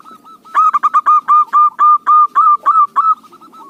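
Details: Zebra dove, local type, whose song is used as a lure: a staccato series of loud, rounded coos, roughly three or four per second, ending in a softer rippling trill.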